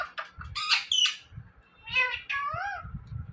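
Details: Talking parrot saying "Mithu" in a small room: squawky, bright syllables early on, then two harmonic, speech-like phrases with a downward-curving slide, over soft low thumps.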